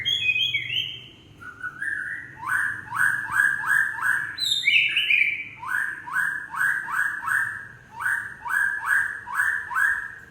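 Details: White-rumped shama, Aceh variety, in gebrak song: high opening whistles, then loud, rapid rows of identical sliding notes repeated about twice a second in rhythmic bursts.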